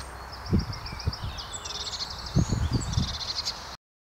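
Eurasian blue tit giving a run of thin, high notes, then quick buzzy chattering, over low thumps and leafy rustling.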